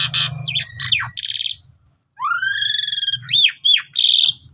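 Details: Asian pied starling (Gracupica contra) in full, pumping song, a varied jumble of harsh churrs, rising whistles and sharp squeaky notes in bursts with brief pauses; used as a master recording to train new birds of its species to sing.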